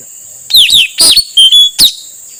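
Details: Male Blue-rumped Parrot lure call for wild birds: a quick string of five loud, shrill notes, sliding downward and partly harsh, with one steady level whistle near the end.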